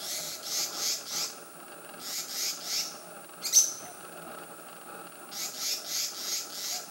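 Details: A Black-naped Monarch (Hypothymis azurea) gives bursts of harsh, rasping high notes, about four a second, in three short runs, with one sharp click between and a faint steady background hum.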